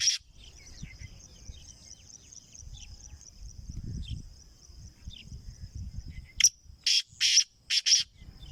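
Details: Black francolin, called kala teetar and sold as a numbered bird, ends a stretch of faint ticking noise and high steady whine with a loud burst of four to five harsh, rasping notes.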